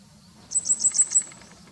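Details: Grey wagtail calling, filmed from a home in late April 2020; about six quick, piercing high notes, some sounding doubled, delivered in a tight burst against a calm background.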